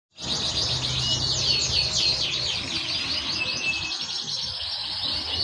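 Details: Panda canary, praised as exceptional and singing vigorously, delivers a continuous rapid song of high, fast-repeating trilled notes and sweeping chirps, with occasional brief steady whistled tones, loud and sustained throughout.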